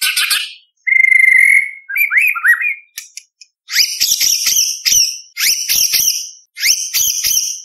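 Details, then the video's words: A white-rumped shama (murai batu) sings competition-style tutor material: a long pure whistle and quick rising whistled notes, then four loud buzzy, rattling bursts about every second and a half. "Murai Batu Gacor Full Isian ~ Full Tembakan"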